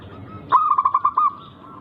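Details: Zebra dove of a local wild strain with an unusual rhythm, sung as a lure to draw rivals into calling back: after quiet, a sudden burst of rapid pulsed coos, six or seven notes, ending in a longer held note.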